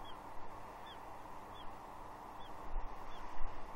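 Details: Young female bald eagle on Catalina Island, Two Harbors, 30 June 2021, begging from her father for fish; five short, sharp, downslurred squeals spaced evenly, with faint background hiss and low rumble.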